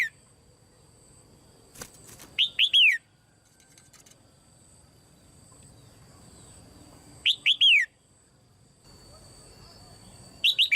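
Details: A caged female red-whiskered bulbul calls to encourage other birds to sing; repeated phrases of two or three arched whistled notes, descending slightly, roughly every five seconds, with faint clicks and hiss between.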